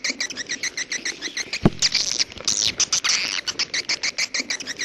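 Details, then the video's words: Edible-nest swiftlet calling in the 'jaguar' style: rapid, regular chirps about four per second, with a harsher twittering burst midway and one low thump. "SUARA WALET jaguar BURUNG WALET"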